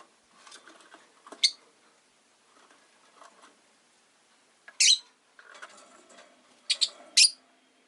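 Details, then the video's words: Rosy-faced lovebird kept as a pet during a relaxed afternoon, giving sharp, high, broadband chirps, a few scattered singly and a close pair near the end, over soft scratchy rustling between calls. "Lovebird Chirping Sounds"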